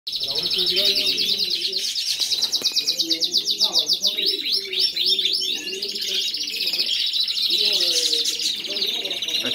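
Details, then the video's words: Several Spanish Timbrado canaries sing rapid, rolling trills and chattering runs without a break while a man talks in the background. "Canarios cantando"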